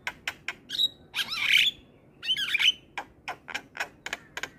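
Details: Lively Javan myna (jalak kebo) nodding as it sings, a training recording for other birds: sharp clicks frame two loud, grating, warbled squawk phrases with whistled tones, then more quick clicks.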